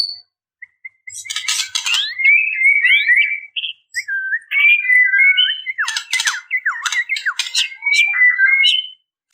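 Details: Female white-rumped shama calling males, in a fast, continuous run of varied whistled notes. Slurred rising and falling phrases mix with scratchy, buzzy bursts and chirps in a busy, jumbled stream lasting about eight seconds.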